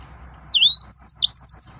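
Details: Excited male yellow-fronted canary opening with a clear upslurred whistle, followed by a brisk series of five bright, high, down-curving notes.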